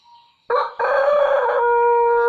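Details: Pelung chicken giving a melodious crow: after a faint tone, a loud, steady harmonic note starts abruptly, breaks briefly, then holds at an even pitch for well over a second.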